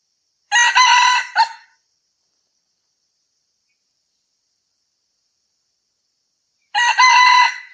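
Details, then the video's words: Red junglefowl crowing, a call used as a lure for hunting: two harsh, harmonic crows, each about a second long with a broken ending, separated by roughly five seconds of silence. "SUARA AYAM HUTAN MERAH cocok buat pikat"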